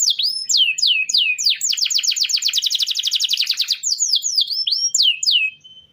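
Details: Canary singing as a training master for other birds: falling whistled notes in a quick series, a long rapid rolling trill in the middle, then more swooping whistles fading out.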